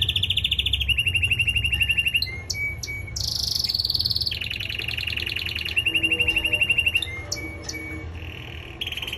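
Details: Male canary in singing training delivering a loud, fast song: rapid trills of repeated notes at several pitches, shifting between high buzzy rolls and lower chattering runs, with sharp whistled notes between; a low background hum throughout.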